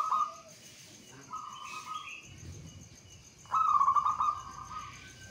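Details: Zebra dove, a local Javanese bird, singing to set other doves off: a short coo, a softer drawn-out note, then a loud quavering phrase that eases down and fades.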